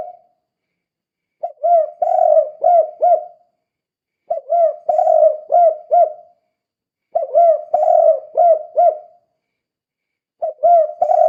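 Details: Loud, actively calling spotted dove in kuk-kuk style, used as a lure: four repeated phrases of about five throaty coos, each phrase about two seconds long, recurring roughly every three seconds, with no other sounds.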